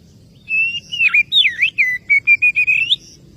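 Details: Oriental magpie-robin calling to a rival, giving a quick run of about a dozen clear whistled notes, long level tones then short upslurs and downslurs, ending on a rising whistle, over faint low hum.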